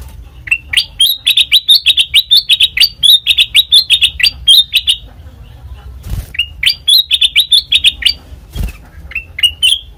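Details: Black-crested bulbul singing, recorded as a trapping lure: fast runs of sharp, high chirps in long bursts, broken by two dull low thumps partway through.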